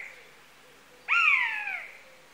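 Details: Buzzard giving one mewing call: a sudden, strong onset that slides slowly downward in a drawn-out, slightly hoarse slur lasting under a second, over a faint steady background hiss.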